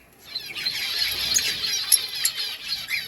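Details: Lovebirds in a breeding colony: a dense, continuous wash of high, thin chirps and twittering from many birds at once, with a few sharper clicks and a faint constant high tone.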